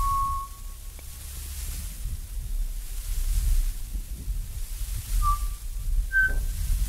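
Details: A Pied Butcherbird in Australia gives pure, flute-like whistles: one held note, then two short notes after a pause, the last slightly higher, over a steady low rumble.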